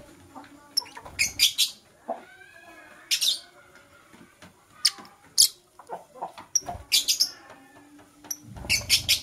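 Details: Morning singing of green and blue personata lovebirds: repeated bursts of harsh, high chattering chirps in clusters of two or three, with softer twittering and short rising squeaks between them. A low rumble sits in the background.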